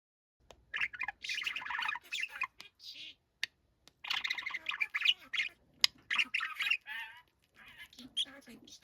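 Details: Young pet budgerigar, once shy and now tame, known for a man-like voice, giving dense scratchy warbling chatter in bursts of one to two seconds, with brief clicks and short gaps between phrases.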